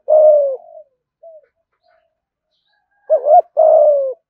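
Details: Spotted dove cooing in 'thúc gù' style, meant to draw wild doves to fight at the perch. A long, falling coo, a faint short note, a pause of silence, then a wavering double note and another sustained, descending coo.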